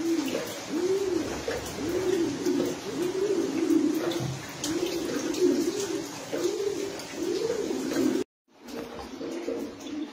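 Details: Racing pigeons in a loft, cooing in repeated rolling low phrases about every second, several birds overlapping, with a brief gap near the end.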